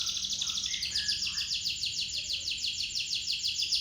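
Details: Local canary used as a lure, rolling nonstop: a continuous high, buzzy trill of rapidly repeated notes fills the whole stretch, with a faint low hum underneath.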